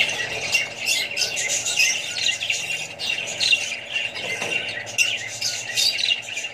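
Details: Australian budgerigars housed with other birds and babies, producing rapid twittering and chirping in bursts that rise and fall, many voices overlapping, with a low background hum.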